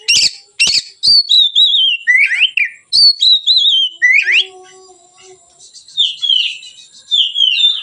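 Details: Oriental magpie-robin (kacer) singing in relaxed, open ngeplong style, used as a lure and tutor for training other birds; rapid varied whistled phrases, slurred rising and falling notes with sharp clicks, brief pause midway, faint steady high whine behind.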